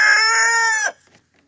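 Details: A rooster's crow, the loud, harmonic-rich drawn-out final note holding steady for almost a second before cutting off into quiet.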